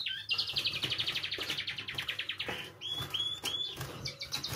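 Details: Canary song for stimulating other canaries to sing: a quick, even trill of repeated notes, then clear rising whistled notes and chirps, with a low hum behind.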